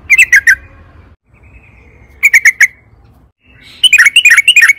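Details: Sooty-headed bulbul singing, played as a lure for caged birds: short bursts of three to four gurgling notes separated by pauses, ending with a busier, rapid, bubbly phrase.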